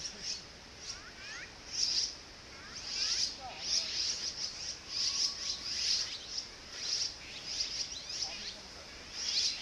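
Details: Young azure-winged magpies, soon to fledge, begging excitedly as the parents arrive with food; continuous high squeaky calls repeated roughly every half second, with faint lower whistles and steady background hiss.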